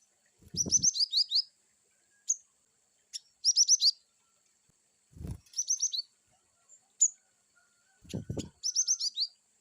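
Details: Cinereous tit (gelatik batu) in varied wucit chirping: four phrases of five or six quick, high, downslurred notes roughly every two seconds, separated by single sharp chips, with low thudding knocks between phrases.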